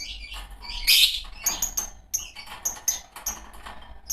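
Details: Pair of green Fischer's lovebirds giving thin, high squeaks and short sharp chirps in quick, uneven succession, with one louder squealing burst near the start.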